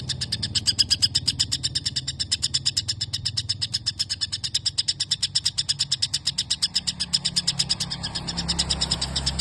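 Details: Sparrow-like phrases from a white-rumped shama's song: an unbroken run of quick, high chirping notes, roughly three each second, with a steady low hum underneath.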